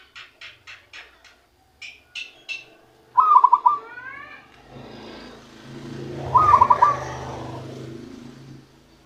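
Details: Newly caught zebra dove beginning to sing in its own voice: after a series of short clicks and chirps, two rolling, quickly pulsed coo phrases about three seconds apart over low rumbling background noise.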